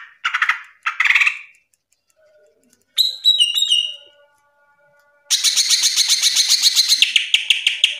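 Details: Green leafbird (cucak ijo) singing loud, lively ngeplong-style song: short burry bursts, a quick run of bright high whistles, then a long rapid rattling trill of sharp repeated notes.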